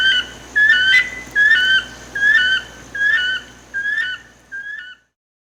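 A Uniform Crake gives a series of six clear, slightly slurred whistles, roughly one every three-quarters of a second, over a quiet hiss.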